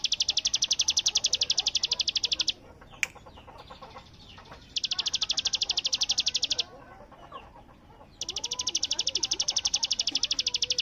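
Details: Bar-winged prinia delivering bren-style song: three bursts of rapid, high, machine-gun-like notes, each about two seconds long, separated by short pauses with faint low chirps and rustling in the background.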